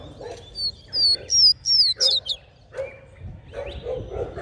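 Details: A Rusty-collared seedeater sings a "mateiro" song used to fire up male seedeaters: clear, high whistled notes, some slurred down and some rising, in quick phrases, with low muffled bursts in the background.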